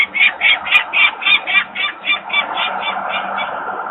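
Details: Peregrine falcons at a nest in Włocławek, Poland, in May 2022: adults screaming as workers clatter nearby, young still on the landing. A steady chain of grating kak notes, roughly four per second, fades toward the close.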